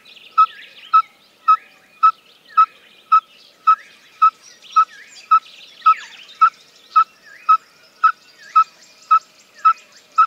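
A male Yellow-fronted Tinkerbird gives a long run of evenly spaced, mellow popping notes, about two per second, over busy chirps and twitters from other birds.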